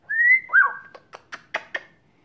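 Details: Grey parrot (Psittacus erithacus), over 1 year old, talking and whistling: a clear, slightly rising whistle, then a shorter bent whistle, followed by five quick, clipped clicking syllables.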